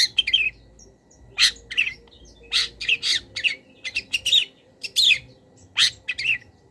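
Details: Long-tailed shrike master song for cage-bird training, with mimicry of wild birds: a brisk series of harsh, raspy bursts and sharp chips, closely repeated, some notes sliding downward, over low hum.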